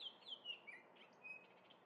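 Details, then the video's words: Oriole in Minnesota singing while feeding on grape jelly: a quick run of clear whistled notes stepping downward, then a few softer chirps, over faint background noise. "Orioles singing and eating grape jelly!!"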